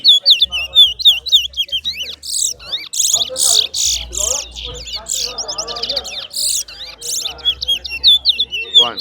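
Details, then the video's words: At a singing competition, a chestnut-bellied seed finch (towa towa) sings a fast, sweet, warbling run of high whistles and twitters, barely pausing. A low hum and a few men's voices are also heard. "TOWA TOWA BIRD SINGING"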